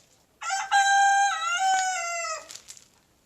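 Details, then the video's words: Morning crow of a young big brown rooster in a backyard: one drawn-out, hoarse cock-a-doodle-doo lasting about two seconds, rich in harmonics, dipping slightly midway and ending with a falling tail. "Rooster Crowing in the Morning"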